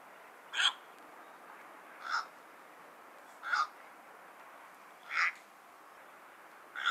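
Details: Cattle egret, locally called Bagula: five short, harsh, croaking calls spaced about one and a half seconds apart against a steady hiss of background noise.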